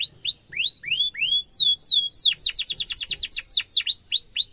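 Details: Canary song meant as a model for young canaries to imitate, with repeated rising whistled sweeps, then a rapid run of falling notes and more upslurred whistles, faint low background hum.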